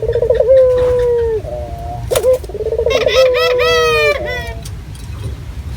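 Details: Lure recording of a local Barbary dove calling actively in a clear voice: two trembling, drawn-out coos, the second overlapped by a brighter, harsher repeated call. A faint rustle is heard between phrases.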